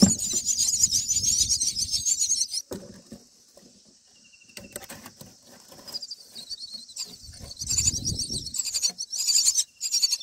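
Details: Nestling mynas being fed black crickets on day nine: harsh, hissing high squeals, intense for two seconds, then a quiet lull with faint calls before the shrill rasping chorus builds again, with rustling in the nest.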